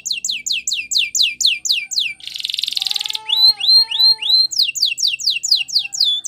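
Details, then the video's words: Spanish Timbrado canary singing: fast series of descending chirps, a short buzzy roll, then bell-like rising whistles and more swooping repeated notes, about three per second, clean and loud. "Canary Singing CHAMPION For Training | Spanish Timbrado Song"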